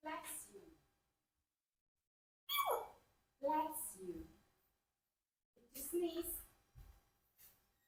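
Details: A 4-year-old pet Congo African grey parrot gives four short, breathy, voice-like bursts a second or two apart, fake sneezes, in a quiet room.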